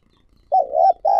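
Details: Spotted dove used as a decoy for wild doves: a wavering, low coo phrase, then the start of a further note cut short.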